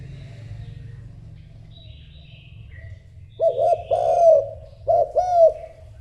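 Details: Spotted dove cooing to call a mate: after a quiet stretch with faint distant chirps and low rumble, deep hoarse coos come in two grouped bursts, each of two or three notes.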